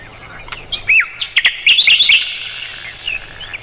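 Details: Mugimaki flycatcher song recorded as masteran material for white-rumped shamas. Scattered high whistles rise into a dense, tumbling burst of twisting chirps and slurs, then soft, sparse notes.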